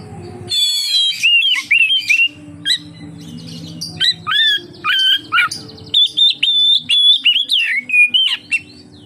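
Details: Oriental magpie-robin in lively song, played to lure other magpie-robins: varied whistled phrases and chatter, then a quick regular series of short sharp whistled notes, faint low hum behind.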